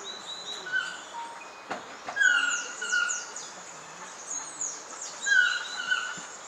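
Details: Black-mandibled toucan (Ramphastos ambiguus) singing at Pierella Ecological Garden in January–March: hoarse, yelping, almost dog-like notes in two bursts about three seconds apart, over a busy chorus of high whistles and chirps from other forest birds.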